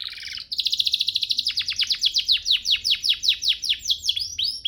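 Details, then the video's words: Canary song played as a master for teaching canaries to sing: a short buzzy phrase leads into a long, quick train of repeated downslurred chips, slowing slightly toward the end. "Masteran Mewah Spesial agar burung kenari cepat GACOR"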